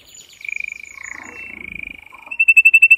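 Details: Male canary singing strongly and excitedly to stimulate canaries to mate: rapid pulsed trills held at a steady middle-high pitch, faster and louder toward the end, with faint low rumbling underneath.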